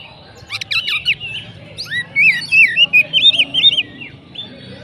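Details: Kacer, the Oriental magpie-robin, delivering "macet" style song: a few sharp ticks, then a run of bright, wavering whistled notes repeated rapidly, roughly eight phrases over two seconds, over a low background murmur.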